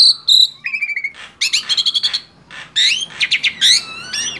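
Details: Male black-winged starling in lively song, opening with sharp high whistles, then quick repeated trilled notes, buzzy rattles and looping slurred whistles in distinct short phrases.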